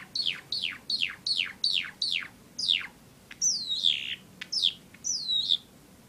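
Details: Three pet Java sparrows indoors give a quick run of about seven high, downslurred chirps, then a few longer, sweeping whistled notes, in an otherwise quiet room.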